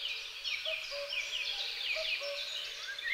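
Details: Great spotted woodpecker pair tending their young: dense, buzzy, high chattering of many short calls runs throughout, with a softer, lower two-note hooting from another bird repeating in the background.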